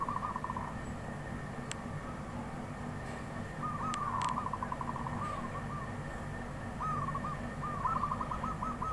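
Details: Wild zebra dove singing: three bursts of soft, rapid, stuttering cooing notes, the last phrase longest, over a steady low rumble with a few sharp clicks.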